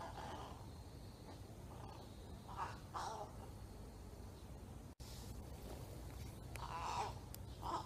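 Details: Juvenile crow rehearsing strange, talking-like calls: short raspy, nasal notes in loose clusters, some doubled, spread across the recording over a constant low-frequency hum.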